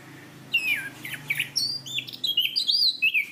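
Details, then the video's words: Orange-banded thrush in a tutoring recording for cage birds: a falling whistle, then lively high phrases that rise and wobble, ending in bright, looping, rapidly modulated whistles. "Masteran Anis Kembang | Punglor Gacor Ngeplong Mantap"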